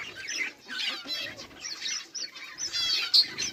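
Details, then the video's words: Budgerigars make short, scratchy warbling chatter in quick bursts, with a brief quiet gap early on. "budgies beautiful sounds and chiriping"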